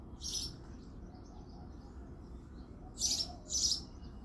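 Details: Male house sparrow chirping at dawn in February: a single bright cheep, a long quiet gap, then two quick cheeps close together, with soft twitters and a low background drone.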